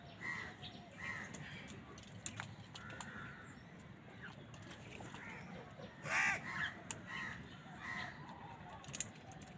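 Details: Crow calling while wild birds fight with crows for food; a loud harsh caw stands out near the middle among fainter scattered calls, soft chirps and clicking background noise.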